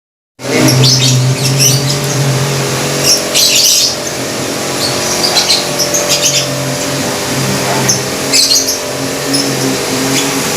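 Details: A group of caged lovebirds kept together in one cage inside a house, nearly all calling; song styles named ngekek and ngetik. Sharp high chirps and squawky bursts come in irregular clusters over a steady low mechanical hum.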